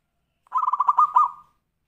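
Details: Single tumpang sari phrase from a zebra dove, a song used to get other birds singing: about a second of fast, stuttering coos that end in a brief trailing note.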